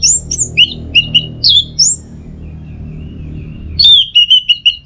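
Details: An orange-headed thrush delivers teler song: varied high whistles, swooping slurs and clipped notes, then a faint thin tone, then a loud sharp note followed by a quick run of repeated whistles.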